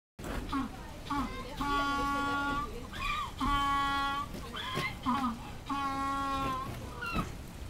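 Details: Captive African penguin at Hanover Zoo, Germany, recorded 2 February 2013, brays like a donkey: short rising honks alternate with two long, nasal, sustained notes, repeated over several seconds.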